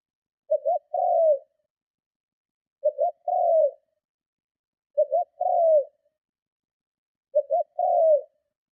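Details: Spotted dove producing powerful cooing to lure and stir up other doves; four phrases of a short doubled note then a drawn-out downward coo, roughly two seconds apart, steady and clean.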